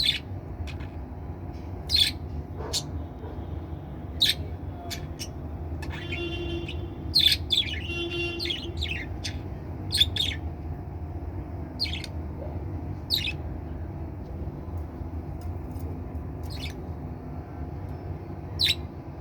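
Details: Two pet budgerigars give sharp, scratchy chirps with a brief buzzy warble over a low background hum.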